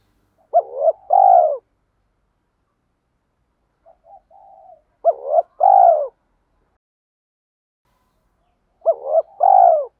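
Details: Spotted dove decoy calling: three two-part coo phrases about four seconds apart, each a short hoarse rise and a longer falling note, with quiet muttering notes between the first two.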